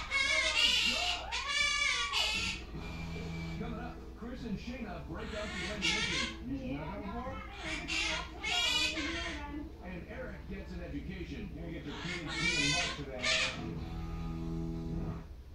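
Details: Left alone, a pet male Quaker parrot talks and sings a made-up song, getting upset as he forgets the words; loud, clear, rising and falling whistled tones mix with squawky speech-like phrases in irregular bursts, in a small indoor room.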